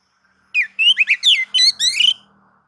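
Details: White-rumped shama song used to provoke other shamas into singing: a loud burst of six rich whistled and slurred notes, mostly rising and falling, delivered over about a second and a half, with a faint low hum beneath.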